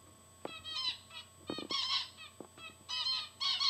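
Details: Pet zebra finches in cages, including a female, give short, nasal, beeping calls that overlap in quick bursts.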